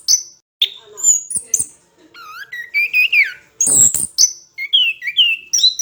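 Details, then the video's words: Orange-headed thrush song used to train other birds: separated whistled phrases, some sliding down, some wavering, a harsh burst midway, then quick bright notes that rise and fall, with short gaps between. "MASTERAN SUARA BURUNG ANIS KEMBANG GACOR"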